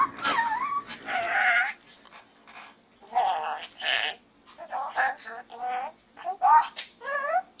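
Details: Pet budgerigar talking while inside a small gourd: scratchy, speech-like chatter with wavering whistled tones, delivered in bursts separated by short pauses.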